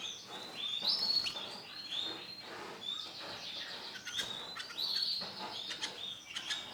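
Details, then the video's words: High, sweet chirps and quick trilled whistles from a white male canary, phrases tumbling one after another with short pauses. "CANARY JANTAN WARNA PUTIH"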